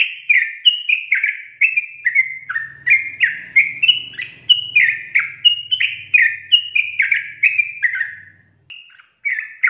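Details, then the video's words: Continuous 'gacor ropel' singing from a sooty-headed bulbul: an unbroken chain of rich, slurred whistled notes, mostly falling, delivered rapidly and evenly for nearly ten seconds before a short pause and a final note, with a faint low hum beneath. "TRUCUKAN GACOR ROPEL PANJANG"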